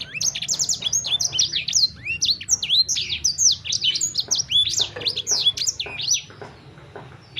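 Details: Sanger bird with a continuous, hurried warble of piercing down-slurred whistles and chirps that fades out toward the end.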